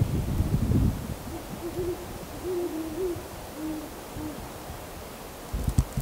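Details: Cold December night, roughly 7:15 pm, owls calling, captured handheld with a camcorder and telemike: a run of low, wavering hoots, several paired, after an opening rumble of handling or wind noise, with a faint clatter at the end.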